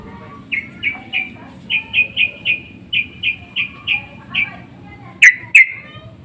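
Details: Sooty-headed bulbuls answering one another to a lure: a run of short, even notes at several per second, closing with two louder, fuller calls.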